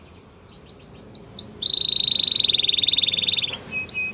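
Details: Canary singing to stimulate others to sing: after a brief silence, four rising-falling whistled notes lead into a long, steady, rapid rattling trill, followed by a few high clipped notes.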